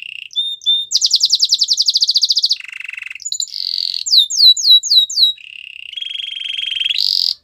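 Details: Canary training song: a varied sequence of tours, with a short whistled note, a fast buzzy trill of about twenty notes, a low rattling burst, then high descending slurred whistles and a long steady trill ending in a sharp high buzz.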